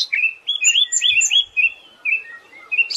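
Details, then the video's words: Siberian thrush master song for tutoring birds: a smooth flowing series of whistled and gently trilled notes, some paired with higher overtone-like notes, ending in a rising high squeal. "Master suara burung anis"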